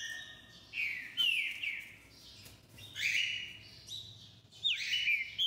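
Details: Green-winged saltator, known locally as trinca-ferro and described as a songster, giving clear whistled phrases that slur downward, in bursts separated by short pauses over a faint low background hum.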